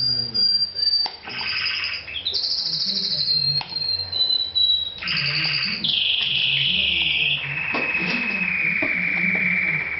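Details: Canary singing indoors while a man talks about birds and shells broad beans; loud whistled phrases with rapid buzzy trills, sustained tonal notes stepping down in pitch, and quiet male speech beneath.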